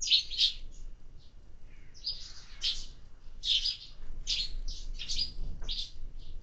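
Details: At a summer feeder, sparrows give bursts of rough chirping notes, clustered in groups about every second, over a faint low hum.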